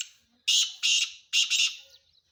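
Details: Calling male black francolin gives three loud, rough, grating bursts. The last is split into two quick pulses, followed by a faint trailing note against a quiet background.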